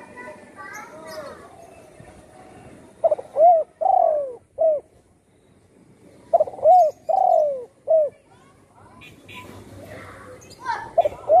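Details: Cooing of a spotted dove once shot in the wing and now living at home, singing often. Two phrases of four low mellow notes, with a long drawn-out third note, spaced about three seconds apart, with faint twittering from other birds.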